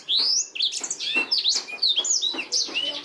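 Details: Black-throated canary song, a master recording for training canaries: a clear, continuous run of high whistled and chirping notes with quick trills and sweeping slides, delivered in rapid phrases without pause.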